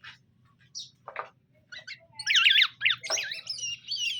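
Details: Greater green leafbird, male and female being paired: a few scattered squeaks, then loud, rapidly warbling whistled notes that twist up and down, sounding agitated and continuous, over a low background hum.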